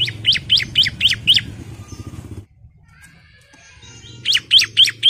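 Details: Female ciblek calling the male, used to lure males into singing: a fast series of sharp high chirps, about four per second, then a pause with a thin faint twitter, then another burst of chirps, over a low background hum.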